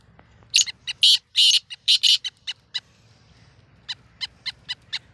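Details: Black francolin, a pet bird, on a beginner caller's first attempt: a burst of loud, rasping, grating notes over about two seconds, followed by a steady series of short, dry, high ticks.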